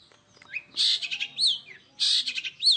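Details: Long-tailed shrike song in the "roll speed rapat" style: dense clusters of high scratchy notes mixed with clear upslurred and looping whistles, delivered in quick tight phrases.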